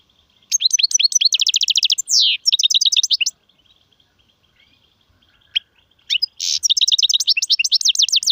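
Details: European goldfinch song of the Serfati, Gzirati and Tserseer styles: rapid repeated high chirps in quick trills, one harsh buzzy note, a pause with a single click, then a fresh bright twittering burst.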